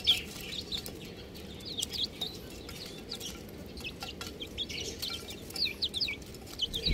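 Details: Chirping baby chickens, buff chicks, give clusters of sharp high cheeps, each a quick downward slur, coming in bursts with short lulls between, over a steady low background hum.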